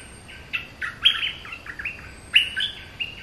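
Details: Bulbul song: a lively run of clear, slurred whistled notes, some rising and some falling, delivered in quick uneven phrases over light background hiss.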